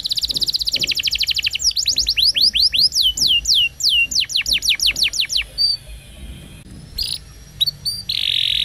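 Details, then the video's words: Canary singing as training for young canaries, opening with a rapid high trill, then a series of downward-sweeping whistles repeated about three per second, ending with short chips and a harsh buzz. "Canary Bird Singing Roll Video Training Canaries Canary Singing Like A Champion For Young Canary"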